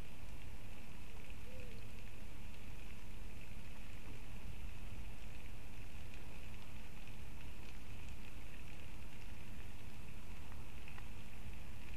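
Only steady wind-like hiss and low rumble, with a faint constant high hum; no animal voice.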